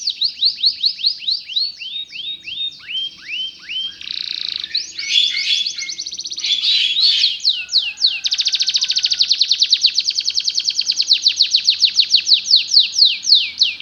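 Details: Belgian canary song played to teach other canaries to sing: long run of fast repeated downward-sweeping whistled notes, shifting into rolling trills and buzzy phrases, then a rapid steady series of sharp repeated notes, continuous and high-pitched.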